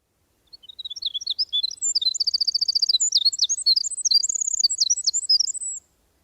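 A Winter Wren pours out a very fast, high, tumbling song of varied notes and rapid trills, running about five seconds without a break.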